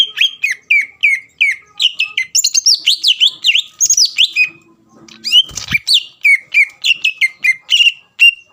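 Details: Greater green leafbird in lively song intended to provoke a rival; a fast, varied run of whistled and chattering notes, some higher and warbled, with a brief harsh burst near the middle.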